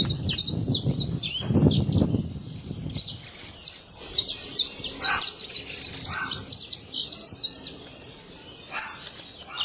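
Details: Free-living saffron finch in nature: a dense run of sharp, high chirps and short downslurred notes that overlap almost without pause, with a low rumbling noise during the first three seconds.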